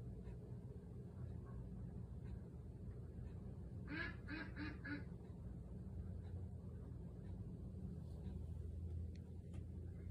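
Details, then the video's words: Young Cayuga ducks, 50 days old, out on a patio calling for their owner inside the house: a tight series of four loud nasal quacks halfway through, otherwise a constant low hum. "Cayuga Ducks 50 days old - looking for me on the patio"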